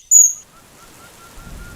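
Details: In the Western Ghats of India, as the monsoon rains begin, an Oriental dwarf kingfisher pair turns very vocal while chasing each other through thick forest: a single shrill, very high, thin note, then faint evenly spaced soft notes over a low rumble of rain.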